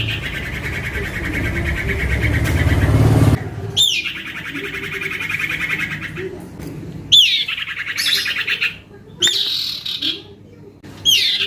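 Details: Noisy young male common iora, used as a lure for others, produces a buzzy trill, then several bouts each starting with a steep high downslur and running into rasping chatter, with low rumbling noise at the start.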